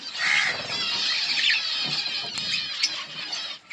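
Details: Budgerigars in a colony produce a dense, continuous warbling chatter, with a clear whistled note at the start and sharp clicks and chirps over the flock noise.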